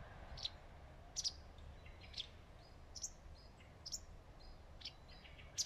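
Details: A wagtail perched on a branch in the shade of leaves gives sharp, high chirps and short thin notes, roughly one per second, over a steady low background hum.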